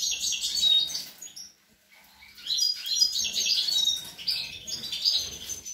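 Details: Young European goldfinches singing on 25 April 2021, a bright high twittering burst, a near-silent gap, then renewed liquid chirps and tinkling trills running to the end.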